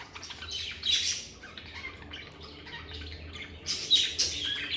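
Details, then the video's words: Lovebirds in a stress-free setting give a couple of loud, harsh squawk bursts separated by softer scattered chirps, over a quiet low hum. "Lovebird Singing & Chirping Sounds"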